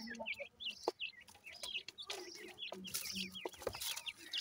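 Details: High, quick peeping from grey francolin chicks, many short slurred notes overlapping, with intermittent broadband rustles and a low hum in the background.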